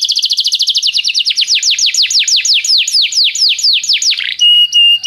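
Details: Canary tutor song for training young singers. A very fast trill gradually slows into long, broad downward-sweeping notes about three per second, then ends in a steady, pure, flat whistle.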